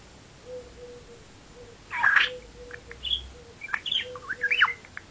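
A budgerigar gives robot-like electronic chirps and warbles, mimicking a droid's beeps over a faint low hum.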